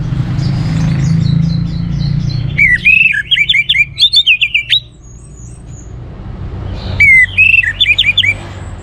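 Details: Orange-headed thrush in energetic song, used to prompt other birds to sing: after a low rumbling start, quick bursts of sharp, wavering whistled notes, then a pause and another rapid burst of chirps.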